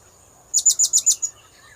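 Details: Blue-crowned hanging parrot call played to lure birds: one quick trill of five or six very high, sharp pulses lasting under a second, over a steady thin high tone.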